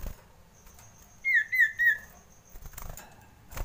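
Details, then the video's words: Common iora (cipoh) sounding frightened, used as a lure call: a brief run of three wavering, whistled notes close together, set against soft clicks, rustles and a thin steady high tone in the background. "SUARA PIKAT CIPOH KETAKUTAN"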